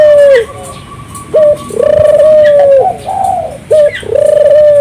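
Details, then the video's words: Vigorously singing turtle dove, played to get local doves singing; a short clipped coo followed by a long, steady, drawn-out coo, repeated with a brief rising note and soft room noise behind. "suara burung puter gacor, merangsang burung puter lokal ikut gacor"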